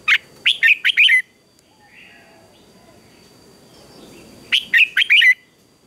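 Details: Morning fight-singing by a red-whiskered bulbul, trained to provoke rival birds: a fast burst of five or six loud, slurred whistles opening the clip, a long quiet gap, then a second similar phrase near the end.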